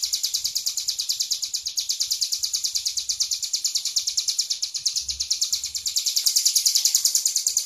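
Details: Tame hill prinia singing vigorously, an unbroken klowor-style run of high, buzzy, rapidly repeated notes that grows louder toward the end, over faint low rumbling background noise.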